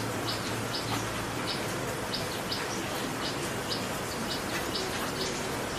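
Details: Backyard Common tailorbird in West Bengal, India, moving about: clear, high, clipped notes given in an even series about every half second, over constant broadband background noise.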